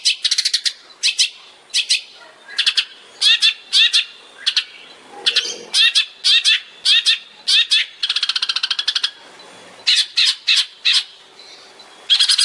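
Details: Long-tailed shrike in tembakan-style song, recorded as a master for training songbirds. Rapid bursts of harsh, high chattering notes come one after another, with a long buzzy rattle in the middle.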